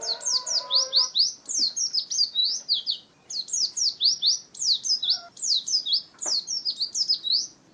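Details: An Oriental white-eye giving its ngalas wild-style song: dense volleys of piercing high slurred chirps, grouped into phrases of roughly a second and separated by short gaps; a soft lower warble opens the passage.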